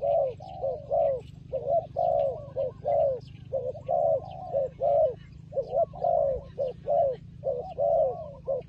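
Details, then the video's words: Low, husky cooing from a fighting turtle dove, repeated in dense clusters of long and clipped notes over several seconds, with faint twittering birds behind. "Good Fighting Dove"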